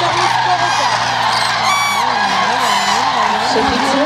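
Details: Large flock of common cranes, adults with young, at Agamon Hula, Hula Valley, on migration stopover where some stay through winter: continuous overlapping loud, rolling trumpeting and bugling calls while a man's voice talks underneath.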